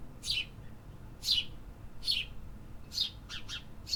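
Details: Urban birds: clear falling chirps roughly every second, ending in a quick cluster of three closer notes, with low background noise.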